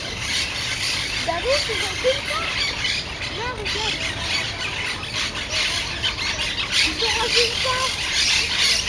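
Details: Chilean flamingos resting in the zoo menagerie of the Jardin des Plantes give repeated short nasal, goose-like honks that rise and fall, some in quick pairs, over loud hissing broadband background noise.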